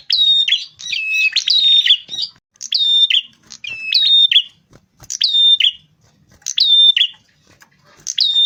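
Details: Rufous-fronted prinia lure recording for attracting birds, vigorous song: bright buzzy phrases of steady whistled tones stepping between high pitches, each burst roughly a second long, repeated about six times with short pauses; clean background.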